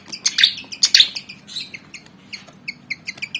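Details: Pied fantail (kipasan Jawa), black-and-white bird about 19 cm, agitated and eager to fight. Opens with a dense burst of high chirps and squeaky notes, then settles into short clipped two-tone chirps repeated several times a second.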